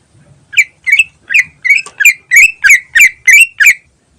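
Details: Greater green leafbird singing "ngentrok" as a lure: a steady series of about ten sharp, slightly harsh chirped notes, roughly three per second, rising in loudness, on a quiet background.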